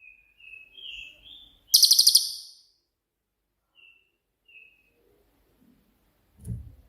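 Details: Cililin (pygmy tit) singing a shooting-type song used to train other songbirds: thin high whistled notes, a short rapid piercing trill, more soft whistles, and a low knock at the end.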